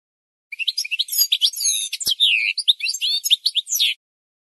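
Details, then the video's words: Goldfinch song played for training other birds to learn singing: a dense, fast twittering run of high, sweeping whistles, buzzy notes and chirps that flows almost without pause for about three and a half seconds. "The Best Singing Goldfinch"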